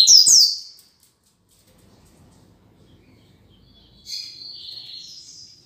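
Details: One of a pair of kept double-collared seedeaters (coleiros) gives a burst of high, sharp chirped notes, then a pause, then a high whistled, slightly buzzy phrase.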